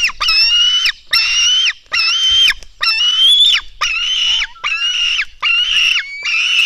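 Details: Black stork chicks beg during feeding at their nest, 04:53 on 24 June 2016. Raspy, high, nasal screeches come in a steady train of eight bursts, each lasting under a second, with short silences between them.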